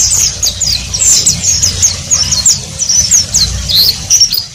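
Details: Oriental white-eye (pleci) with ngeriwik song: steady high twittering of rapid slurred notes over noticeable low-pitched background noise.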